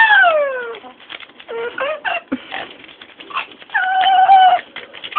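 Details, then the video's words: Indoor pet Amazon parrot, a female, imitating dogs, sirens, brakes and monsters; opens with a falling whine, then quiet chattering and clicks, ending with a sustained nasal tone. "Our amazon parrot "Lora" is making sounds..."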